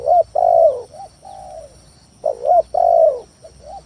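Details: Spotted dove lure song to draw rival doves into calling, two phrases of a short coo, a long drawn-out falling coo and softer tail notes, about two seconds apart, with a constant faint high whine.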